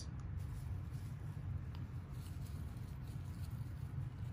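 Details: Continuous low engine-like rumble with faint hiss above, and no animal voice present.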